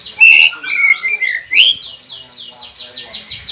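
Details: White-rumped shama, a recording played to coax silent caged birds into song: loud clear whistles opening the phrase, then slurred falling notes, fading into a steady chorus of rapid high-pitched chirping.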